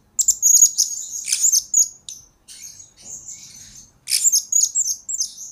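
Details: High, sharp twittering bursts from a blue-crowned hanging parrot in a recording for training birds. A loud squeaky phrase is followed by softer high notes and then another shrill burst.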